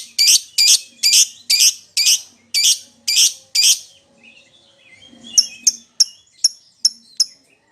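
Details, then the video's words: Lovebird calling to a companion or rival: eight loud, harsh, high chirps about two per second, a short gap with soft twitters, then a series of thinner, higher chips. "suara lovebird memanggil temennya | pancingan lovebird memanggil lawan"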